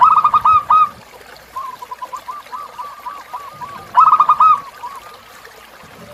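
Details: Zebra dove song used as a tutor recording for captive birds, set against natural river sounds: bursts of rapid, stuttering, hollow coos repeated in quick runs, separated by softer trailing note series, over a low rumble.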